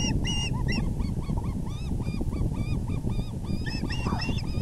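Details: Osprey nest as the male brings a big fish, April 6, 2020: a few high chirps, then a series of lower, arched, evenly spaced notes, with high chirping returning at the end, beneath heavy low rumbling noise.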